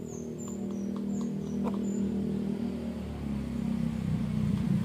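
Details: Bangkok rooster with an injured leg, now kept for breeding, courting a hen: a loud, low, droning purr of rapid pulses held at a steady pitch, swelling near the end, with faint high chirps of small birds above.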